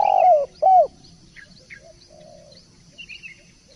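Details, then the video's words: Spotted dove gives two strong low coos, the second short and bending downward, followed by a quiet stretch with scattered faint twitters from small birds. "Derkuku / Tekukur gacor"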